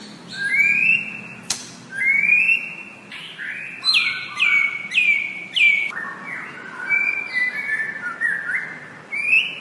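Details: White-rumped shama song meant as a tutor for kept birds: repeated bright whistles sliding up then held, each phrase ending in quick descending twirls, delivered in steady bursts about every second, with a sharp click near the start.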